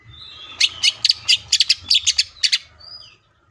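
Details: Greater green leafbird (cucak ijo) delivering 'full tembakan' song, a string of about a dozen crisp, high chip notes fired in quick succession, then a faint short whistle.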